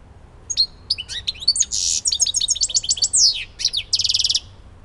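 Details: European goldfinch from Elbasan, Albania, singing a fast, liquid twittering phrase of sharp chirps and slurred whistles broken by buzzy, rattling trills, about four seconds long, over faint low background hum.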